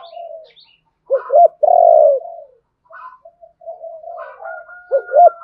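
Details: Spotted dove calling to provoke a rival to fight, male and female birds; a double upturned note, a long steady coo, then softer coos and a thin whistled tone near the end.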